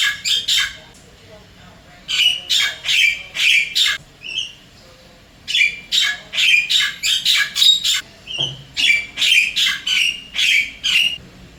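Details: Wild Javan myna visiting an apartment in Singapore, calling to its mate with repeated bursts of harsh, grating squawks separated by pauses and occasional short whistled notes.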